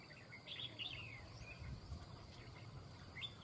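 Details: Red-whiskered bulbul recorded during bird trapping, a bird described as calling often: a few short, bright chirps and a brief down-slurred whistle, faint over steady low hum and insect buzz.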